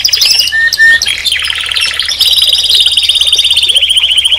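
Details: Canary in full song: rapid chattering notes and short whistles give way to a long, even, very fast rolling trill that runs steadily to the end.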